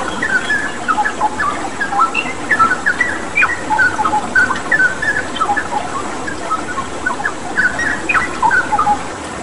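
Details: Straw-headed bulbul in full active song for training pet birds: a long run of mellow whistled notes and quick slurs in irregular bursts, set against a constant hiss of flowing water.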